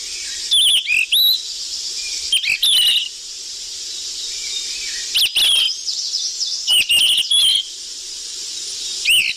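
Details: Busy lure calling of a golden flycatcher: five short bursts of high chirps and wavering whistles with crackly clicks, separated by gaps of hissing background.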